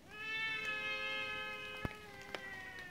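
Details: Trumpeter hornbill (Bycanistes bucinator) in Mtunzini, South Africa, in June 2017, giving a drawn-out, wailing nasal call like a crying baby, steady and harmonic-rich, with a couple of sharp clicks behind it.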